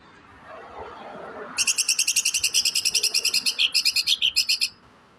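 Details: Greater green leafbird (cucak ijo) delivering a harsh 'tembakan besetan kasar' song: a quick burst of about twenty rasping, high-pitched staccato notes spanning roughly three seconds, after faint low background noise.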